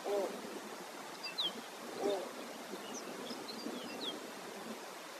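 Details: Snowy owl, an adult male, at Barrow, Alaska, giving two short, low notes about two seconds apart, with thin high chirps from other small birds over steady wind noise.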